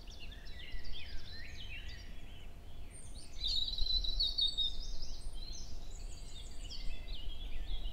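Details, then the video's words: Male European robin singing in a forest at Hoher Peißenberg in early May around 7 a.m., with a female nearby exchanging contact calls, giving thin, high, wistful phrases of trills and sliding notes, varied and unhurried, over a low rumble. "Rotkehlchen (4) - Gesang im Mai - 100 verschiedene Strophen in 11 min"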